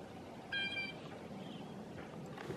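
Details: Blue jays calling where a grosbeak flock feeds on maple seeds: a single brief, bright, tonal call with stacked overtones, followed by low outdoor rumble and faint scattered sounds.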